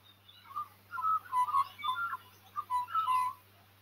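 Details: Magpie singing up in a tree, replying to a call from another magpie; clustered, mellow warbling whistles rising and falling in quick bursts, with brief gaps between phrases and a faint low hum behind.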